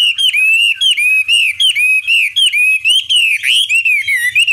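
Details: Chinese hwamei, a caged songbird, singing a loud, clear whistled song of short slurred notes repeated almost evenly, each rising then dipping.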